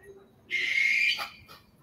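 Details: Barn owl (Tyto alba) gives one harsh, hissing, high rasping screech lasting just over half a second, with faint room noise before and after.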